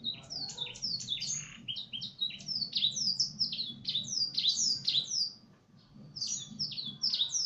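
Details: Canary song tutored with Blackthroat phrases: a fast, jumbled run of high, sharply down-slurred whistled notes, about four per second, with a brief pause near the end before the notes resume.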